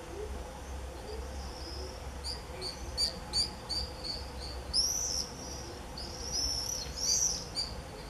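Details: Early July 2018 screaming frenzy of common swifts: scattered short, shrill screams and clicks building toward several louder drawn-out screams near the end, over a constant low hum.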